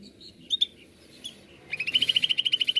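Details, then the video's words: Greater green leafbird, called cucak ijo, singing: a few sharp chirps, then a fast series of bright, evenly repeated notes that rise slightly and hold steady at a high pitch. "Pancingan AMPUH Cucak ijo nembak"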